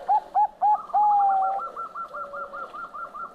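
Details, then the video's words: Zebra dove of the Bangkok type (perkutut Bangkok) singing (manggung): three short clipped coos and a long sustained coo, followed by a rapid rippling series of softer coos over a faint lower hum. "SUARA PERKUTUT BANGKOK MANGGUNG"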